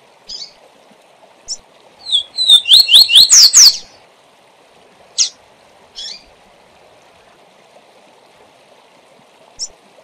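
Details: Tutor double-collared seedeater, kept for training, gives the SIL SIL ZEL ZEL song: a fast phrase of sharp rising whistles repeated about five times, framed by isolated high chips before and after, with faint background hum.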